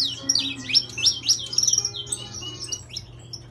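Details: Saffron finch with intense yellow plumage, kept by an owner, delivering a quick burst of high, slurred chirps that fade into a softer trailing twitter over a low hum.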